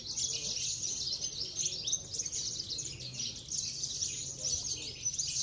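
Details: Contest-winning Javan bush lark, Parva type, from Cilacap sings an unbroken, very high and thin torrent of fast jittering notes and buzzes, steady in volume over a low background hum.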